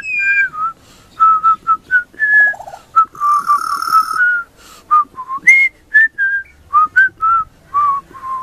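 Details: Young pied butcherbird singing a very high-pitched Christmas tune: a run of short, clear, flute-like whistled notes, some gliding up or down, coming in quick phrases with brief gaps between them.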